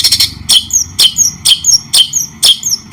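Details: White-rumped shama in a training recording for songbirds: loud, sharp chip notes repeated about every half second, each followed by thin, high, downslurred whistles, with short clean pauses between phrases.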